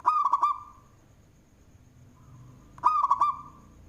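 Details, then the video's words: Zebra dove, a local bird with a loud voice, singing (manggung) for use as a lure: two short bursts of rolling coos, four or five notes each, nearly three seconds apart. "Perkutut Lokal suara BESAR Manggung, Cocok untuk pancingan"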